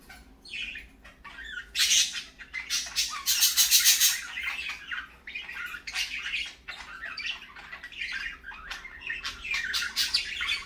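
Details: Morning parakeets in lively chatter: rapid overlapping squawks, chirps and scratchy notes, several each second, loudest near the start, over a quiet hum.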